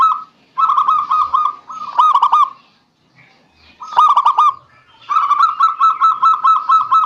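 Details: Zebra dove song used to encourage silent doves to sing: rolling phrases of quick, stuttering coos at steady pitch, broken by a brief pause, then a long train of evenly repeated notes.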